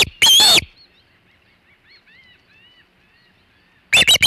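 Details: Osprey at the Hog Island nest, 3:50 pm EDT, 27 August 2019, with a large shad: one loud shrill whistled note, then soft faint rising chirps for three seconds, ending with a quick burst of loud sharp calls.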